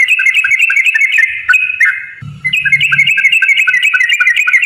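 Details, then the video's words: Rapid-fire 'ropel' song of a sooty-headed bulbul meant to provoke other birds into singing: bright chattering whistle pairs in a fast steady run, with a brief low thump midway. "trucukan gacor TARUNG ROPEL PANJANG pancingan trucukan agar bunyi"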